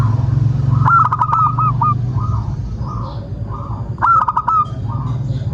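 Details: Local zebra dove (perkutut) song played to lure other doves into singing: two loud cooing phrases of rapid notes ending in a held coo, with softer repeated coos between them and a low hum.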